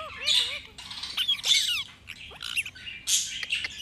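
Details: Indian ringneck parrot, kept as a talking pet bird, giving harsh, buzzy squawks in short bursts, with a few brief wavering, warbled tonal notes near the start and a sharp rising chirp midway.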